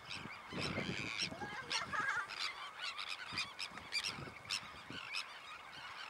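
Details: Sandwich tern calls: rasping, overlapping cries from many birds, in bursts roughly every half second to second, with a louder, harsher cluster near the start and a steady noisy background.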